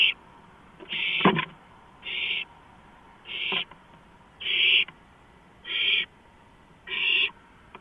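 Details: Owl perched on a porch in the early hours of April 5, 2015, repeating a rasping, steam-like hiss about once every second and a quarter, with a single loud click near the start.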